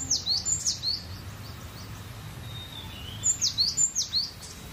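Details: Free, relaxed gacor song of a cinereous tit, with two separate phrases of high, thin whistled notes, each a fast up-and-down sequence of four to six notes, with a quiet gap between them.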